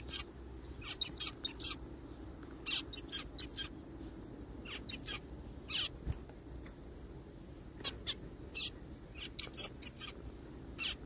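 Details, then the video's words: Repeated short, harsh zebra finch calls in a forest, coming every half second to second in irregular clusters across the whole stretch, over a continuous low hum. "I found a little bird crying in the forest : zebra finches sounds."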